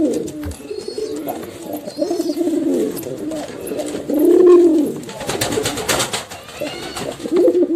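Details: Domestic pigeons cooing indoors, male and female together, low rounded arching coos near the middle with softer overlapping coos around them, faint higher chirps early and scattered clicks and rustling.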